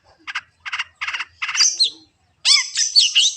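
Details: Long-tailed shrike song meant to keep a kept bird singing: four buzzy rasping notes in a row, then bright whistled slurs and chattering mimicry-like phrases.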